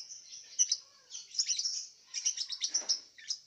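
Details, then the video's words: Contest lovebird from Singkawang in Indonesia's West Kalimantan, caged, bathed at six each morning: dense, rapid, high-pitched chattering twitter in two long bursts with a short pause between. "LOMBA LOVEBIRD ONLINE 20 - Aksi LoveBird"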